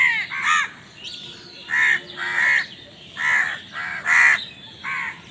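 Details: Harsh, nasal caws from a crow fighting for food, given singly at uneven intervals of about half a second to a second, loud and clear over a quiet background.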